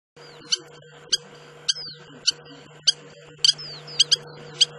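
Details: Spur-winged lapwing, known locally in Hebrew as siksak, in the Agamon Hula wetlands of the Upper Galilee, Israel: sharp metallic clicking notes repeated roughly every half second, some doubled, over a steady low hum.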